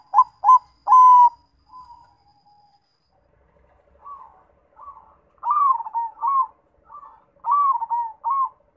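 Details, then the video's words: Zebra dove, a local perkutut bird in lively voice, giving its cooing song: three loud clipped coos, then a pause, then a run of soft and loud rolling coo notes, some with a falling end, over a faint steady buzz. "MACAM - MACAM BUNYI PERKUTUT"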